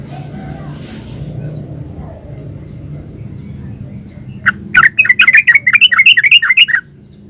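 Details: Yellow-vented bulbul singing in lively 'gacor ropel uplik' style: after quiet background hum, a burst of about a dozen quick, bubbly, warbling notes runs for roughly two seconds without pause.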